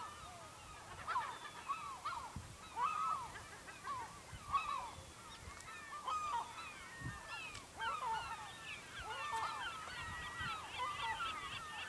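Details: Gulls near a fishing village in Lofoten, Norway: many overlapping harsh, arched mewing calls rising and falling, some in quick runs. Several low thumps and outdoor background sounds come through underneath.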